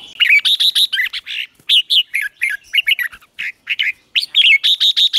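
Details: Red-whiskered bulbul delivering morning training song aimed at provoking newly caught birds, Vietnam: crisp whistled notes in fast clusters, some slurred upward, others dropping, broken by tiny silences, clean recording.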